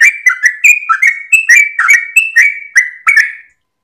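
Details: Sooty-headed bulbul singing at dawn, a long gacor ropel song used as a master for training cage birds: rapid series of clear whistled notes around one pitch with sharp upper clicks, ending after about three and a half seconds.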